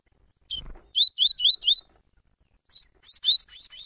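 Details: Double-collared seedeaters, a father and son, in a warm-up song for black and brown seedeaters: one sharp buzzy note, then four quick slurred whistled notes in a row, followed by softer scattered chips and a steady thin high tone.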